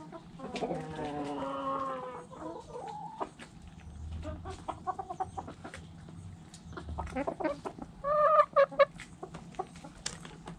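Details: Backyard chickens: a hen gives a drawn-out, harmonic, rising-and-falling cackle for about a second and a half, then a brief quiet. Softer clucks follow, and a sharp, bright double call comes near the end. A low hum runs underneath.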